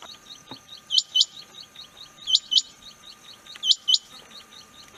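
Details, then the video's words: Rain quail calling, sharp high paired notes, each pair repeated about every 1.4 seconds and standing out over a steady background of faint rapid chirping. "rain quail chniag batair ki max awaz"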